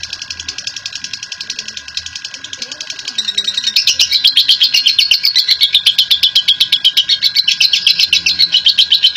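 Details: Lovebird, a national champion, in long ngekek song meant to prompt other lovebirds to sing; soft, thin chatter for three seconds, then a sudden loud burst of fast, even, raspy chattering pulses running to the end over a low hum.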